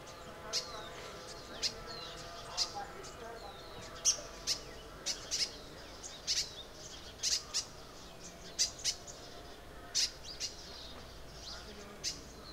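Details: In Arunachal Pradesh, a crimson sunbird calls with a rapid series of sharp, high-pitched tsip notes, roughly one or two per second, some paired, over a faint continuous hum.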